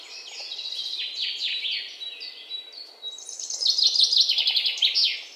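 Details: Birds feeding at a garden feeder table. Busy high twittering gives way to a loud, rapid series of sharp repeated chirps in the second half.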